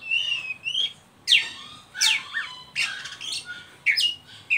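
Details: Harsh, grating squawks from an Oriental magpie-robin in ngeriwik style, used to stimulate young birds to sing, broken by a few rising and falling whistles and short chirps, in bursts about every half second.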